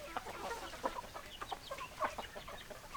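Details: Chickens, hens and roosters, clucking together: short, scattered clucks and murmurs repeating roughly once a second, overlapping voices from a flock, fairly quiet and distant.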